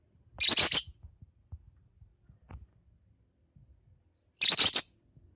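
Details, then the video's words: Lovebird chick calling in two loud, harsh, raspy chirp bursts about four seconds apart, with a few faint thin high peeps in the quiet gap between them. "kicauan anakan lovebird"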